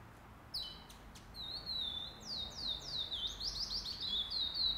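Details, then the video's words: Chestnut-bellied seed finch, or curió, in a pardo singing tournament, first stage, 8 November 2020: after a pair of sharp clicks, a sustained whistle opens into sweeping downslurred notes that grow louder and quicker toward the end. "Torneio de Curió Pardo"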